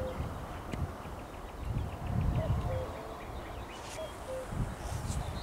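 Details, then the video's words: Common cuckoo calling, recorded 12 May 2021; two distant two-note cu-koo calls in the second half, with rustling, low rumbling background noise and a thin series of high ticking notes from another bird. "Kukanie kukułki"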